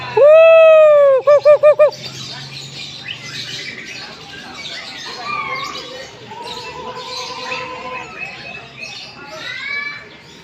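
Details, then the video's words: At a gantangan in Jayapura, Papua, a butcherbird opens with one loud, ringing fluted whistle and three quick looping notes, then softer scratchy chatter and twittering from other birds fills the rest, with a brief wavering whistle later. "gantangan burung jagal Papua di Jayapura"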